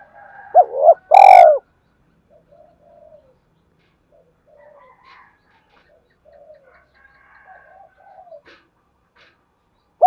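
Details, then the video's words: Cooing spotted dove, used to prompt other doves to coo: a loud low coo with a sharp click early on, then scattered quiet soft coo fragments and burbles, ending with another short coo. "tiếng cu gáy thúc gáy gọi"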